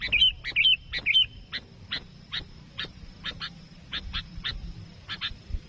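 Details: Sooty-headed bulbul luring a rival for trapping, three quick bubbly whistled phrases followed by a steady series of short dry chip notes, roughly two per second, over low rumbling.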